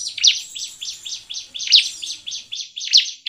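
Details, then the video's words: Bar-winged prinia song used as a lure for other prinias: a brisk series of high, slurred chirps in an uneven rhythm, with a few louder, sharper accented notes standing out. "Burung CIBLEK GACOR ampuh untuk PANCINGAN CIBLEK agar bunyi dan cepat GACOR"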